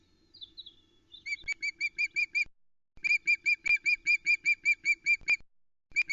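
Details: Female osprey fish-calling on the Loch Arkaig nest, 2 July 2020, after the male leaves carrying a trout she ignored; a faint descending whistle, then long runs of rapid, regular high piping notes with brief pauses.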